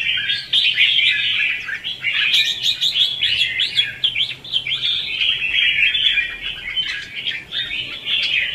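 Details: Red-whiskered bulbul in 'ché' and 'xòe' fighting song, used to attract and excite other bulbuls: a fast, unbroken run of crisp chirps and rolling warbles that keeps an even strength throughout.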